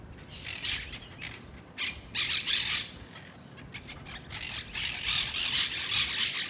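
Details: Wild monk parakeets give harsh, grating squawks in overlapping bursts, several birds chattering at once in loud, raspy waves.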